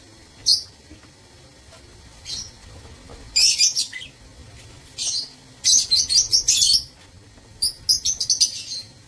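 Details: Several lovebirds in an aviary breeding cage, recorded 15 April 2024, give shrill, high-pitched chirps in short clusters, with brief pauses between bursts.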